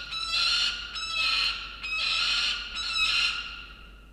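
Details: A cockatoo visiting a sea-eagle nest in Australia on 18 December 2022 gives four harsh, grating screeches about one per second, broad and raspy, over a steady thin hum.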